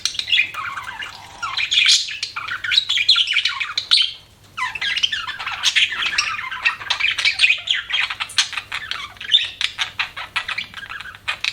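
Budgerigar chatter: a dense, continuous stream of high, scratchy chirps, warbles and clicks, pausing briefly midway before resuming with rapid ticking notes.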